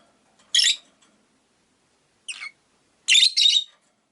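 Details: Rosy-faced lovebirds, five in a cage by a window, chirping: one harsh burst, a thinner descending note two seconds later, then a loud paired chirp, with quiet gaps.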